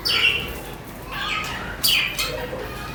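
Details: Pet budgerigars chirp and warble, with bright, slightly rasping notes that slide downward, and two louder bursts separated by quieter chatter.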